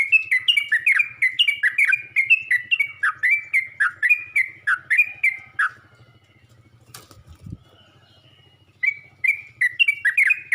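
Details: Yellow-vented bulbul calling other bulbuls, a long steady series of bubbly, bending chirps about twice a second for six seconds, then a pause with a brief thump and rustle before the chirping resumes.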